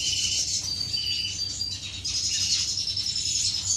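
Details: Finches courting in an aviary, 10 May 2015: continuous bright, high twittering with thin sustained whistled tones and fast chirps running together throughout.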